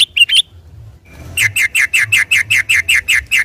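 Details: Sunday-morning recording of a yellow-vented bulbul singing in nonstop rolling style, played to provoke and stimulate others of its kind: a short cluster of chirps, a pause, then a steady run of about twelve loud, evenly spaced high chirps.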